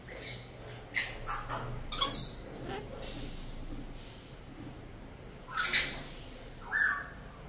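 Cockatoo giving a few harsh, raspy screeches spaced a couple of seconds apart, then a short, steady whistled note at the end, over quiet background hiss.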